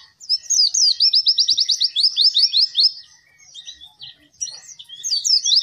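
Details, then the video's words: Captive Oriental white-eye singing, used as a training song for reluctant birds: a long fast run of high, sliding whistled notes over about three seconds, then a pause and a further burst of sharp twittering. "burung pleci gacor!!! efektif untuk pancingan dan masteran pleci yang malas bunyi"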